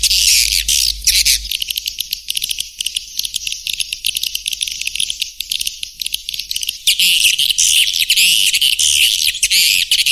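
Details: Swiftlet call for luring birds: loud, dense, high chattering twitters at the start and end, with a quieter stretch of rapid clicking chatter in between.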